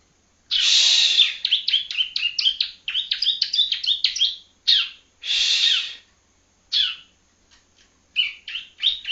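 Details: Juvenile Yellow-bellied Prinia practising in Palembang: a harsh buzz leads into a quick string of warbled high chirps, another buzz, then scattered sharp notes.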